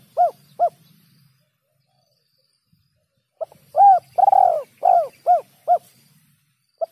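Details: Bird-trapping lure of a spotted dove: two short arched coos, a pause of about two seconds, then a lively series of seven coos with a long rolling note near the start and a final clipped coo.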